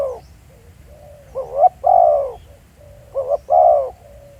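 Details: Spotted dove calling as a field decoy at Pha Sing, Thailand, recorded live: a soft low lead-in, then two phrases of a double rising note plus a long husky coo, about 1.6 seconds apart.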